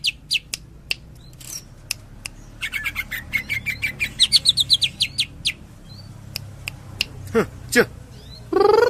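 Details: Greater green leafbird singing a Cililin tembakan: scattered clicks give way to a dense run of quick, buzzy, rising notes, then more clicks, two low swooping sounds and a final rattle.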